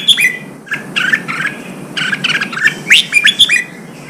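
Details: Red-whiskered bulbul, a newly caught bird being trained for singing contests, singing a nearly continuous run of whistled notes and bright chirps, some slurred upward, varying in loudness.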